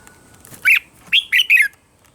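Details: Red-whiskered bulbul morning song, a recording meant to train other bulbuls' voices: one bright warbled note followed by a quick run of three rolling, slightly descending whistled notes.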